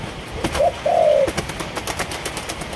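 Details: Malaysian-strain spotted dove kept as a cage bird, giving one short cooing phrase: a brief low note followed by a longer, steady, mellow coo that falls slightly at its end. Faint clicks and taps sound in the background.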